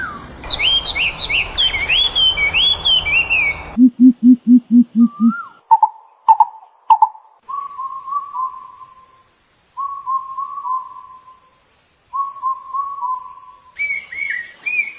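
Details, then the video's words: Birds recorded on May 5, 2023. A quick run of high warbled rising and falling whistles gives way to a burst of low, evenly pulsed hoots, then clear level whistled phrases separated by silences, ending in renewed high warbling. "Natural Beautiful Real Sounds of Birds"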